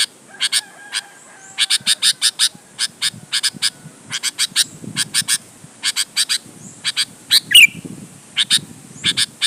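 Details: Lure call of a Sooty-headed bulbul meant to prompt other bulbuls to sing back: long run of rapid harsh chattering notes grouped in twos to fours, one brief whistled slur near the end.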